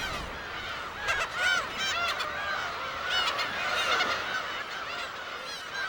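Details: A dense May breeding-season chorus of black-tailed gulls on Dokdo island, where 7,000–8,000 birds hold territories. Many nasal, mewing cries overlap, rising and falling several times a second, with no single bird standing out.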